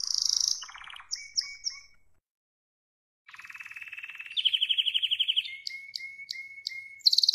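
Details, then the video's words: Spanish Timbrado canary song, described as wild, in bursts of rolling trills and clipped metallic notes. A short silence, then a low rattle, a bright rapid trill and crisp repeated chips ending in another fast roll. "Wild Spanish Timbrado Canarie singing"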